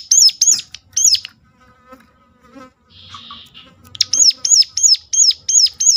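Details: Sunda warbler calling sharply to prompt other warblers to sing: high hooked notes at the start, a brief buzzing insect-like sound midway, then a steady run of repeated piercing notes.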